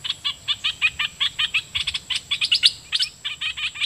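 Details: Red-whiskered bulbul, a caged decoy bird singing at wild birds, delivering a fast run of short, bright chirped notes repeated about five times a second, steady and unbroken throughout.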